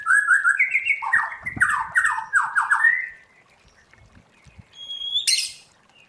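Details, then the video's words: White-rumped shama being trained in the 'forest voice' style: a quick run of stuttering whistled notes and rapid falling trills, then quiet and one harsh high burst. "Luyện choè lửa hót theo giọng rừng hay"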